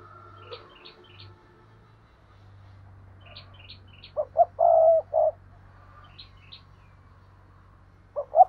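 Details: Caged decoy spotted dove giving its calling coo: after a quiet stretch with small birds twittering high above, two brief hoots, a long mellow coo and a short final note, then another phrase begins at the end.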